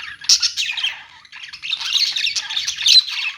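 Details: Pet store budgerigars producing a sharp squawk, then steady overlapping warbles and chirps, with a short dip before the chatter swells again toward the end.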